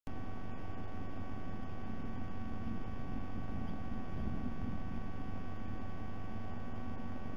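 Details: Steady electrical hum with low rumbling noise and a few faint clicks near the start, with no animal voices.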